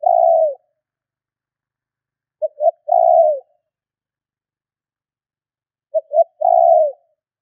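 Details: Spotted dove lure call: three-part coos repeated about every three and a half seconds, each a quick double note followed by a drawn-out, gently descending hoot, in quiet surroundings.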